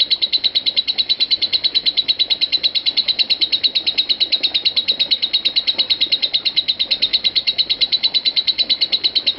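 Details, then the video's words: Lovebird in a long unbroken ngekek, offered as master recording to train lovebirds and lengthen their ngekek: dense, rapid, high chattering trill of sharp notes, about three per second at steady pace, continuous throughout with no pause. "Suara Lovebird Konslet Parah"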